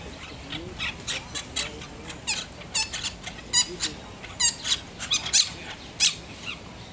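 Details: A pair of budgerigars nesting in a palm chatter in quick, high, scratchy chirps and squeaks, irregular and broken by brief pauses.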